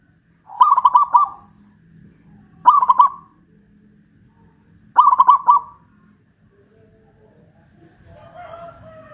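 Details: Caged local Pajajaran zebra dove in Kuningan, West Java, singing loudly while hung high on a pole. It gives three staccato cooing phrases of rapid notes, each phrase roughly two seconds apart. Faint lower bird calls follow at the end.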